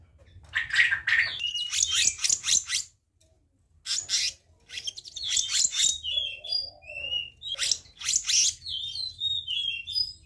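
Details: Black-naped monarch training and lure recording: harsh, rapidly pulsed chatter bursts of about a second each, separated by short pauses, with thin sliding whistles between them and a brief lower warbled note.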